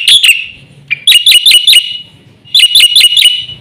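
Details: Black-winged myna in vigorous fill-in song, used as a master tutor: short clusters of three or four sharp, down-slurred whistled chirps separated by brief pauses.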